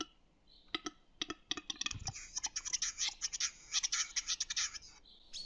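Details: Western capercaillie display song in spring in the Harghita mountains: a few sharp, dry clicks that quicken, then a long run of rapid, hissing scraping and grinding lasting about two seconds.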